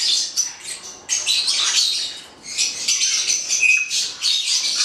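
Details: A pair of black-headed parrots screeching in harsh, high-pitched bursts, a short pause after the first second, then longer raspy squawk runs.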